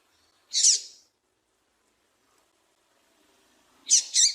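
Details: A female double-collared seedeater (papa-capim) gives high, thin chirps: one burst, a pause of about three seconds, then a quick double note. Breeders use this female call to excite males for song tournaments. No other sounds.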